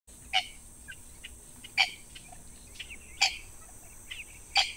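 Purple swamphen giving four loud, harsh, nasal squawks about every one and a half seconds, with softer chirps and clicks in between.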